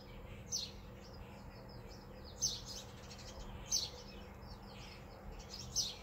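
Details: Sparrows, about twenty, gathered in a front-yard tree alongside a pair of mourning doves; thin, high chirps sound roughly every one to two seconds against a steady low background hum.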